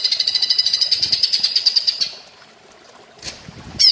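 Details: Greater green leafbird (cucak ijo) singing in the platuk bawang style as a training master: a fast, even series of high sharp notes, about three per second, runs for two seconds, then a pause and a brief sharp chirp at the end.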